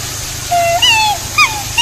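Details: Black swan (Cygnus atratus) making a quick run of tonal, mellow honks. The notes are drawn-out and slurred, some rising, then a dropping note, with a brief sharp note near the end, against low background hiss.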